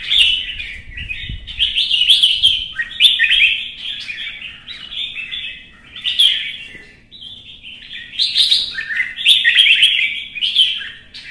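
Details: Red-whiskered bulbul goaded into competitive singing in Vietnam: lively chains of rich, fluty warbles in bursts of a second or two, pausing briefly before sharper, higher notes return; faint low knocks early on.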